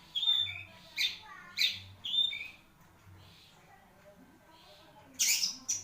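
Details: Marlboro-type long-tailed shrike kept in a cage sings loud buzzy notes with thin whistled slurs, a quieter gap, then two harsh high bursts near the end.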